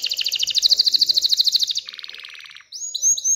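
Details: Excited canary singing to push females toward mating and nest building: a bright fast trill shifts into a lower, buzzier rattle, then a few clear upward-sweeping whistles close the phrase.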